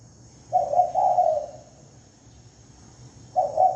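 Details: Spotted dove used for lure calling: one soft three-note coo, a pause of nearly two seconds, then another coo starting. The recording is free of background noise.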